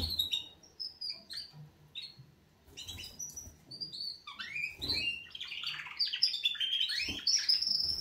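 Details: Canaries waking up: short high chirps first, then a rich rush of rolling trills and whistled notes that grows louder and fuller over the second half.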